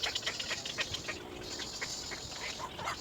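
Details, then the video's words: Little egret chick crying for its mother: a quick series of short, harsh, scratchy calls, several per second, some overlapping, over a steady background hiss. "little egr, baby bird cries for mother"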